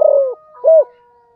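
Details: Spotted dove calling: a long, gently falling low coo, then a brief gap and a second rounded, swelling coo, with a steady faint humming tone underneath.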